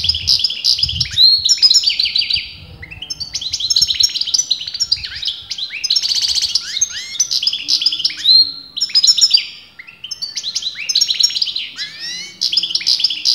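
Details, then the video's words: European goldfinch from breeders debating its sex, in sustained continuous song: dense, almost unbroken streams of rapid twittering, tinkling notes and buzzy trills, pausing only briefly over thirteen seconds. "غناء متواصل لمقنين"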